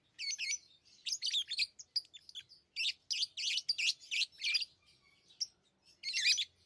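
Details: Pet lovebirds giving a busy run of shrill, buzzy chirps, tightly grouped bursts nearly continuous through the middle, with a brief lull before a final loud burst.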